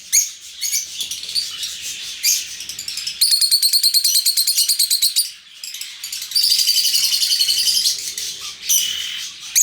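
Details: Lovebirds in an open aviary alternating scattered shrill chirps with long, rapid, buzzy trilled chatter of about three notes per second, each bout lasting around two seconds.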